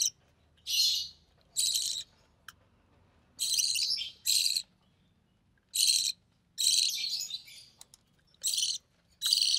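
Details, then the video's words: Young recessive pied budgerigar, hatched early June 2020, calling as its albino red-eye mother feeds it; broad scratchy rasping notes come in short pairs and singles separated by silent gaps. "Budgie Chick - Recessive Pied Budgie"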